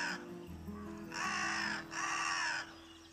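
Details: Carrion crows in Spain at the foot of the Pyrenees, where they host great spotted cuckoos in springtime: two harsh, drawn-out caws in quick succession, each under a second long, over a soft, low musical background.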